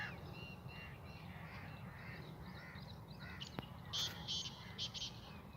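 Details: A tame captive Sindhi black francolin in its first calling season gives a few loud, harsh, grating notes in quick succession near the end, over steady low rumbling noise and fainter bird calls.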